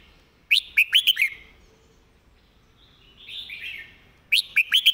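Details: Red-whiskered bulbul, caged, sings a clear master song meant for teaching: a fast run of five ringing, bouncy whistles, a pause, a gentle warble, then the same lively run again.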